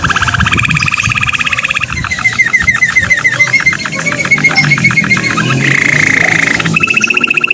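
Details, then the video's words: Canary singing, trained show-song bird: rapid repeated trills around mid-high pitch, a long run of evenly spaced chipping notes in the middle, then buzzy rolled phrases, with steady background noise and faint traffic-like rumble. "KENARI GACOR | CANARY SINGING"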